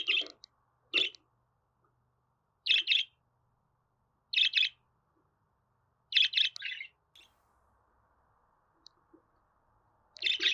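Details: Pet budgerigar sounds to help a bird settle in and start singing; sharp, raspy chirps in pairs and triplets, spaced about every one and a half to two seconds, with a faint hum between them.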